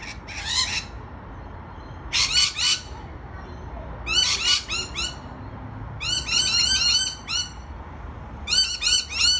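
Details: Rainbow lorikeets on a balcony giving loud, shrill, screeching calls in rapid chattering bursts, several closely spaced notes per burst, repeated about every two seconds.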